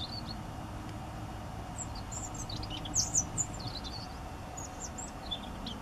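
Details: Common moorhens in September 2015 at Prelog, with juveniles, adults and chicks present, give thin, high peeping notes in scattered bursts, briefly louder midway, over a steady low rumble of background noise.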